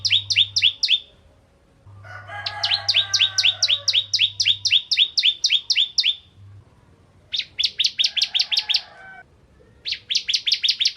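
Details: A crystal-type Bar-winged prinia, recorded as a lure for other prinias, gives rapid bursts of sharp, high, ringing notes, about four a second, with short pauses. A lower, harsher chatter and a faint hum sit underneath.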